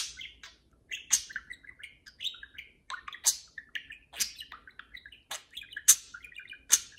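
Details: Indoor pet parakeets conversing and playing, a continuous stream of warbled chirps and twittering notes punctuated by sharp clicks roughly every second.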